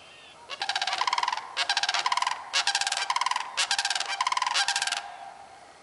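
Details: Sustained sandhill crane calling from 30 March 2015: five back-to-back bursts of loud, pulsed, rattling trumpeting with barely a pause between them.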